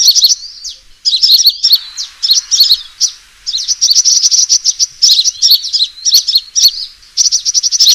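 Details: Fighting call of a sunbird, used as a lure: excited high twittering in bursts, with fast even runs of sharp chirps and brief pauses between phrases.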